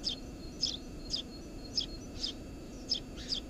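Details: Eurasian tree sparrow nesting under a house roof, recorded 4 June 2017: short, sharp, high chirps, seven in about three and a half seconds, at a roughly steady pace over a low background hum.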